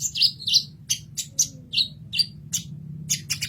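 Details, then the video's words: Kolibri ninja sunbird singing for a masteran tutoring recording; sharp high tweets repeated roughly three per second, some with thin downward flicks, over a soft low background hum. "Kolibri Ninja Masteran"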